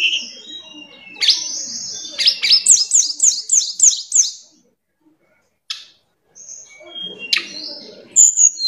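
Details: Tledekan gunung singing in the afternoon: high whistled phrases, then a fast run of sharp, evenly repeated descending notes, a short silence, and scattered thin chirps.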